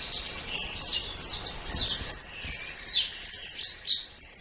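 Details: White-eye training song for caged birds: thin, sweeping chirps come in a steady rhythm of roughly three per second. Soft background noise sits underneath.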